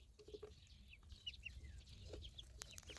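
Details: Ducklings giving thin, high peeps, some short and sharp, others slurred downward, scattered over a low rumbling background.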